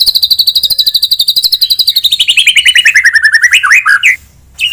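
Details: White-rumped shama in fighting-style song aimed at raising a rival's aggression: a long, fast, regular trill that slowly drops in pitch, ending in a few sharp twisted notes, a short pause, then another note.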